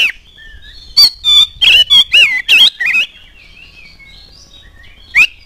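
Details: Oriental magpie-robin singing as a lure to set other birds singing: a dense burst of rapid buzzy notes and wavering whistles over two seconds, then a pause and a single sharp note near the end.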